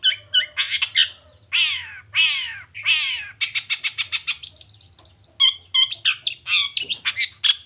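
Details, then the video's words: A long-tailed shrike sings energetically in the morning, showing off its varied material: loud, harsh, descending sweeps give way to a long, rapid rattle of evenly repeated high notes and then a scatter of bright chips. "Suara Cendet Gacor Di Pagi Hari Toet Toet Bongkar Materi"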